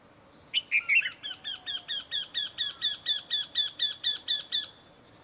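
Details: A Eurasian wryneck in Kashmir gives a steady run of about sixteen nasal, ringing 'quee' notes, roughly four per second, in a quiet setting.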